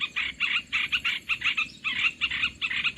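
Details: Olive-winged bulbul calling as a trapping lure, given as rough grating notes grouped in short clusters of two or three, with clear gaps between clusters and a quiet background.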